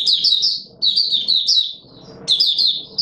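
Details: Oriental white-eye (Mata Puteh Raja) opening song, recorded 24 March 2022: fast high twittering warbles in bursts, with a short pause near the middle and faint low background murmur.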